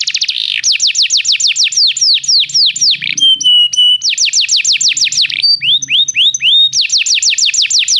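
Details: Canary song played to prompt a canary to sing: rapid rolling trills of falling whistled notes, a short steady high whistle, then more fast descending note series, all high-pitched and continuous.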